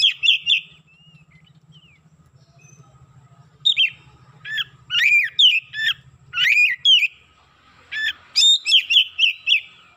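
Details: Oriental magpie-robin, roused and pouring out learned phrases, sings loud whistled notes and sharp slurred chirps in bursts over a steady low hum.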